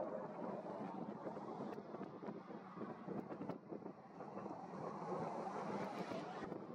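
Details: Broadband wind and water-like rushing noise with scattered clicks and no animal calls.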